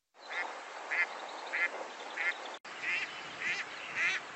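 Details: Compiled female Mallard calls from nocturnal flight recordings: two sequences of short, harsh quacking notes, roughly one every half second, each with rich stacked harmonics, against light background hiss.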